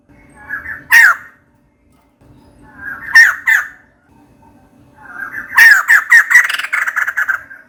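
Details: A female white-crested laughingthrush calls for a mate with single harsh squawks, a pair of loud cries, then an excited rapid chattering series of rasping notes.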